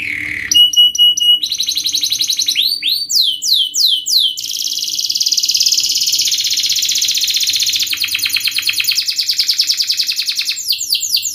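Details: Canary song in tight, sharp 'speed' style, a lure for young canaries learning fast rolling: varied phrases of bright downward sweeps, a long buzzy trill, then rapid pulsed trills and more sweeps.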